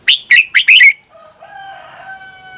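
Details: Red-whiskered bulbul, Thai caged songbird, song used to tutor other birds; four quick bright notes in under a second, then soft drawn-out lower whistles and chatter.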